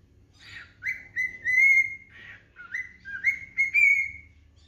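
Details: Pet cockatiel singing at home: a series of clear whistled notes around a steady pitch, several gliding upward and held, phrases repeated with short gaps, with faint low room hum beneath.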